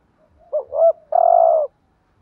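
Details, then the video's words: Spotted dove in 'thúc gù' urging style, meant to stir other doves: a single phrase of two quick bending notes leading into a sustained low coo. "chim cu gáy thúc gù bài bản/ Tiếng chim cu gáy kích bổi và mồi rất xiêng gáy"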